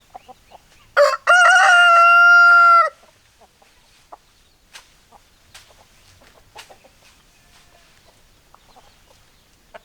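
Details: Chicken flock with hens clucking and roosters crowing: a sharp clucking note, then one long steady harmonic crow held about one and a half seconds, followed by scattered soft clucks and clicks.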